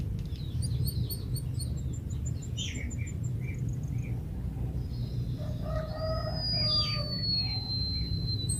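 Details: Java sparrow giving a long whistle: a drawn-out, thin, high note rising slightly and holding steady for about three seconds, preceded by short sharp chirps and twittering notes, over a steady low background rumble.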